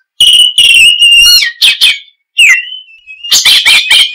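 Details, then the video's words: Oriental magpie-robin in loud, lively song: long level whistles broken by rasping notes, a downward slurred whistle, then a run of harsh, scratchy bursts. "Suara Kicau Burung Kacer - Ngoceh Gacor"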